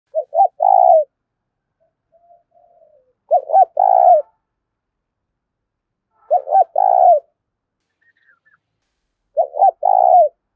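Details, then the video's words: Spotted dove giving the 'thúc' style cooing used to lure wild doves: four phrases about three seconds apart, each two short clipped notes then a long burred coo, with soft low murmurs in the gaps. "Tiếng cu gáy THÚC hay giọng hạp bổi, mở lên bổi rừng nhanh về cội"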